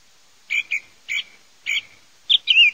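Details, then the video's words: Singing song thrush gives a double whistled phrase, repeats it twice more, then adds a brief rising, warbled flourish; quiet background. "Kελαηδημα Tσιχλας 4 /song turdus philomelos 4"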